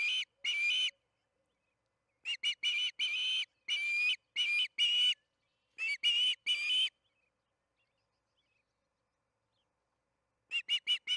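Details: Osprey calling at its Charlo nest in the evening feeding session, June 21, 2019, 8:15 pm MDT: strident whistled chirps in clusters separated by silent gaps, with a final quick run of four.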